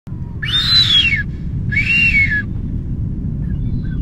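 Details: A nesting male blue-footed booby (Sula nebouxii) in the Galapagos gives two shrill, drawn-out whistles, each rising then falling, about a second apart, over a steady low rumble of wind or surf, around 6:26 PM.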